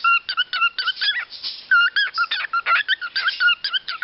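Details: A male pet cockatiel (Nymphicus hollandicus) sings to himself, a rapid jumble of whistled, warbling notes with squeaky chirps mixed in.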